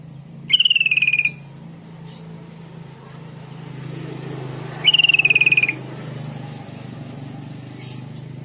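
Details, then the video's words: Trucuk kebo, a sooty-headed bulbul, sounds a lure song meant to provoke replies: a pair of bright, rattling whistled notes that drop slightly in pitch, separated by about four seconds, with a faint background drone. "Trucuk kebo bisu bahan dan ombyokan langsung nyaut dalam hitungan detik dengan pancingan trucuk ini"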